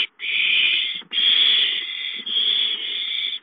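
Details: Owl at the nest as prey arrives: three long, loud, breathy screeches, each close to a second, with very short gaps between.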